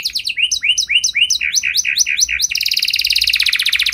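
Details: Canary singing a special song to draw replies from other canaries: a run of separate, rising, whistled syllables about four per second, then an abrupt switch to a very fast, buzzy, high trill.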